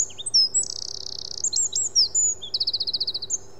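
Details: Eurasian wren in a dawn chorus singing a very loud song for so tiny a bird: an explosive start, then two fast rattling trills separated by sharp whistled notes, all in under four seconds.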